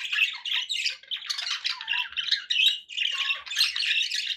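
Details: Budgies kept as pets give rapid scratchy warbling, harsh squawks mixed with short whistled notes in near-constant bursts.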